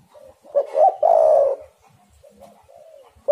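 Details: Spotted dove (tekukur) call used as a lure for doves: short rising notes, then a loud rough drawn-out coo, followed by a soft falling coo and the start of the next phrase.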